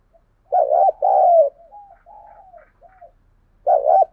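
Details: Challenge coo of a spotted dove intended to provoke wild doves and decoys into calling: a loud two-part throaty coo, quieter wavering notes, then the next phrase starting, with no other sounds.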